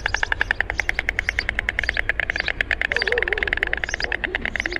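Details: White stork giving rapid, even clattering pulses, like sticks knocked together at high speed. A faint wavering whistle from another bird comes in near the end, over a steady low rumble.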